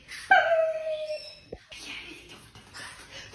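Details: A pet cockatoo indoors gives a drawn-out whistled note of about a second, holding steady then dipping slightly at the end, followed by a sharp click and quiet room noise.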